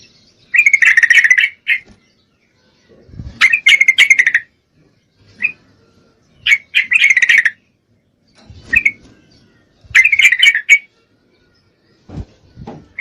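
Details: Yellow-vented bulbul (trucuk) female in full breeding condition calling a male, giving short, bright, bubbly chattering bursts of about a second, repeated with irregular gaps of one to two seconds, with soft knocking sounds between.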